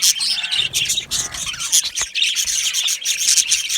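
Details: Happy budgies chirping in an aviary; overlapping high twitters and squawks, a few short warbled phrases early on, and a sharp click near the middle within the constant flock chatter.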